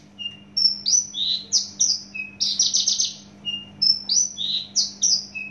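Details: Horsfield's bush lark (javanica, native to Java), described as loud and fast-singing: a fast, varied run of high sweet whistles, slurred notes and buzzy trills, phrases tumbling into each other over a faint steady hum.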